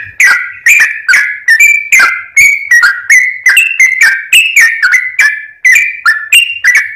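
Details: Sooty-headed bulbul singing vigorously for use as a lure, with bright whistled notes that rise and fall in a quick, uneven series of about three per second.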